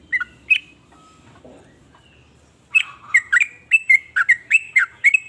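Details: Sooty-headed bulbul in full 'nrooel' song: two opening notes, a short pause, then a fast run of bubbly, liquid chirps that rise and fall, repeated several times a second.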